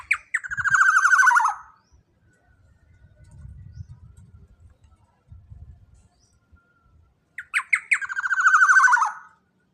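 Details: Loud jumbo-bodied Black-naped oriole used to provoke and tutor other birds. It gives two harsh phrases of quick sharp notes, each running into a wavering buzzy descending trill. Low thumps and rumbles sound between them.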